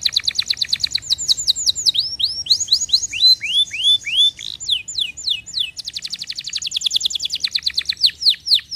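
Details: Canary song used to stimulate other birds, a fast stream of rapid downward-sweeping whistled notes in trills, shifting between slower slurred notes and quick buzzy rattling runs, high-pitched throughout.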